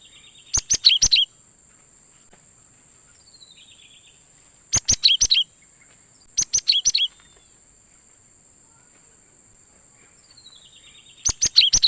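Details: Cinereous tit (gelatik batu) call played as a lure for trapping wild birds: four bursts of rapid, loud, high chirps, each about half a second long, with faint descending whistles between and a constant high whine.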